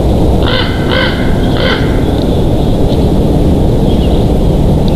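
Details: At a Big Bear Valley nest on the afternoon of 27 June 2023, a bald eagle gives three quick, squealing, harmonic chitters near the start, then fainter peeps, over constant heavy wind rumble.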